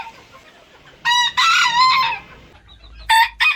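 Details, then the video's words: Rooster crowing: a loud crow with a wavering, drawn-out middle section lasting about a second, followed after a pause by two short abrupt crows. "ETKİLEYİCİ HOROZ SESİ BU SESLER HOROZLARI KUDURTUR !! ÇEŞİT ÇEŞİT HOROZ ÖTÜŞÜ"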